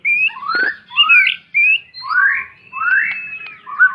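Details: White-rumped shama song as a guide for young learners: long, smooth whistled notes, some rising and some sliding down, spaced about half a second apart, with a few soft clicks.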